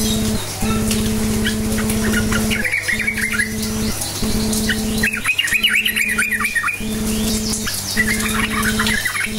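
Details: Sooty-headed bulbul 'cukcuk nguplik' lure song to get silent bulbuls responding; several short clusters of chattering, rolling warbled notes separated by pauses, set against a pulsing low machine hum that stops and restarts.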